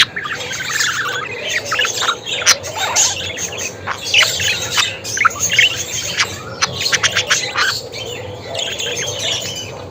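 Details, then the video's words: Budgerigars chattering: quick chirps and harsh squawks mixed with twittering warble, loudness pulsing as bursts of sharper notes rise above the continuous babble. "Muhabbet Kuşu Sesi!"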